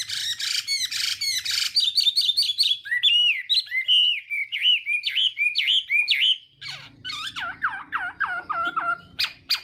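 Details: Morning song of a Chinese hwamei during voice training meant to provoke singing: rapid rich whistled phrases, fast repeated trills, then a series of deep downslurred notes, faint low hum.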